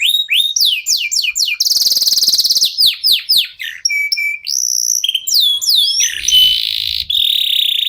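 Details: Local canary in full song, used to prompt other competition songbirds to sing. Rapid falling chirps and a buzzy trill lead into varied whistles and slides, with loud rolled trills near the end.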